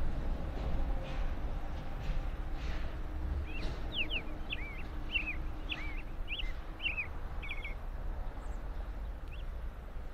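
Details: An American robin at a freshly built nest in an apple tree in Michigan gives a quick run of short, clear, slurred whistles for a few seconds, then one last note, over a steady low rumble of traffic.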